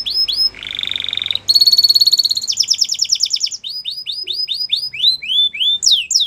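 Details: Canary song for training young canaries: varied tours of rising whistles, a lower buzzy roll, a very fast high trill, rapid repeated descending notes, and closing sweeping phrases.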